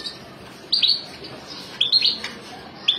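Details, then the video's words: European goldfinch family giving short bright twittering chirps in small clusters, three or four bursts spaced about a second apart, high and sharp over a steady low background hiss. "عائلة الحسون"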